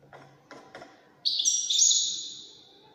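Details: European goldfinch of the Wydani style: a few soft clicks and faint taps, then a loud, bright twittering burst with a sustained buzzy trill that slowly fades.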